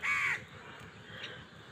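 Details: A single hoarse caw from a crow fighting for food, followed by a steady hiss.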